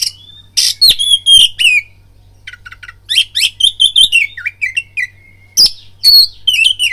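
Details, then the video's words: Oriental magpie-robin song played as a lure to provoke fighting, made of harsh buzzy bursts, quick whistled trills and sliding whistles in separate phrases with short pauses, above a low background hum. "BIRAHI TARUNG KACERMU NAIK DENGAR PANCINGAN KACER INI BUNYI"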